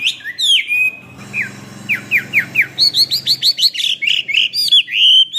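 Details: Chinese hwamei in varied song for training other birds: scattered whistles and a series of quick downward-slurred notes over a low background hum, building into fast sharp phrases.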